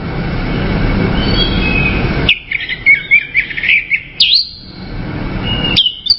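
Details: Orange-headed thrush: after a stretch of broad rushing noise, a lively varied phrase of chirpy whistles and short slurred notes lasting about two seconds, then a few sharp high notes.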